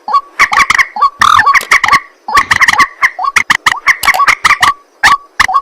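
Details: Night-time calling of a white-breasted waterhen (ruak-ruak, mandar batu): dense runs of hoarse, clucking croaks, rapidly repeated with only a brief gap near the middle.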